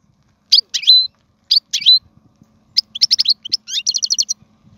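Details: European goldfinch singing, meant for teaching young birds: sparse paired chirps with a thin drawn-out whistle at first, then a quickening series of short repeated tinkling notes in a near-quiet setting.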